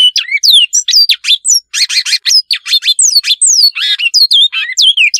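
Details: Great-billed seed finch in the mandela song style, a fast run of bright whistled slurs, hooked and downward notes mixed with short buzzy rattling phrases, sung continuously with brief gaps.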